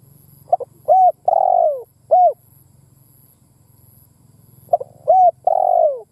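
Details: Spotted dove (cu gáy, cu đất) lure-bird cooing, played to stimulate captive doves to call: two phrases of short clipped notes, a level coo, a long buzzy falling coo and a final rounded coo, with a low hum beneath.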